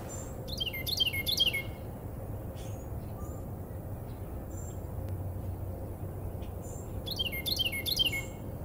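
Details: A wren in a maple tree at an inn in Americus, Georgia, one of a pair, calls to its mate: two loud bursts of three or four ringing, down-slurred notes, several seconds apart, over low steady hum.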